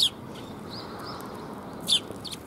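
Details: Sparrows arriving to be fed on 13 February 2021, on the way out: a bright high chirp opens, then a quiet pause with faint soft notes, then two more quick chirps near the end, over low steady background noise.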